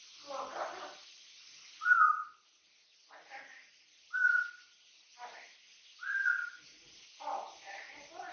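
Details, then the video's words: A three-year-old captive-bred pet Amazon parrot, free to fly around the house, chatters indoors. Short, clear whistled notes alternate with muttered, speech-like gibbering at irregular intervals of one to two seconds. "MY AMAZING CLEVER AMAZON - my chatter box"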